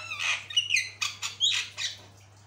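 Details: Javan myna (jalak kebo) tutor-style singing: harsh rasping bursts mixed with sharp rising and falling whistles over about two seconds, with a steady low electrical hum underneath.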